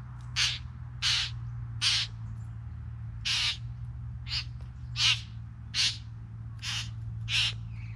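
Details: Harsh, hoarse hissing notes from three bowerbirds, evenly paced about one every seven-tenths of a second, each brief and explosive, over a low constant hum.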